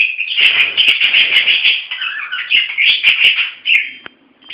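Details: Playful pet budgerigars giving loud, dense warbling chatter with harsh chirps and clicks, a few sharp taps and wing sounds, fading near the end.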